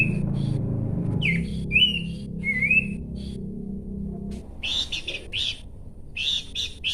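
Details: Bush babbler singing: a few clear whistled notes near the start, slurred upward and downward, over a low steady hum, then a run of harsh buzzy chattering bursts in the second half.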